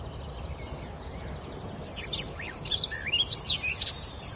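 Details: Bird singing loosely in the forest. After a quiet stretch of faint background noise, a burst of bright whistled notes arrives in the second half, rising and falling in quick, uneven succession.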